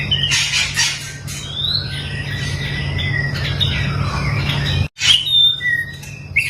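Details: Long-tailed white-rumped shama, a caged bird in mental training, singing varied whistled and buzzy phrases with sliding notes and harsh chatter, a brief gap near five seconds, over steady low hum.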